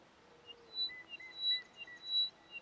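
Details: Upland pipit at Pangot, Nainital, Uttarakhand, India, in 2022, giving thin, high whistled notes about every two-thirds of a second, with fainter lower whistles beneath and a soft background hiss.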